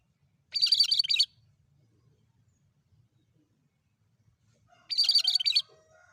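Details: Bulbul (cucak kerinci) sound used as a lure for birds: two short, dense bursts of rapid, scratchy high chattering notes, each lasting under a second, separated by about four seconds of near silence with a faint low hum.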